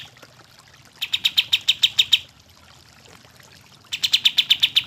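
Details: Kapas tembak bird, a lure recording for birds that will not sing, gives two short bursts of quick, ringing high chips, about eight notes each, separated by nearly two seconds of near silence.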